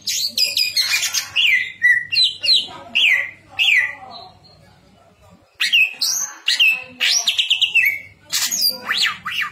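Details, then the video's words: Greater green leafbird singing a loud, varied song of whistled slurs and sweeping notes, many phrases falling, delivered in rapid bursts with a short pause midway before the song resumes; faint low hum beneath. "cucak ijo gacor isian mewah"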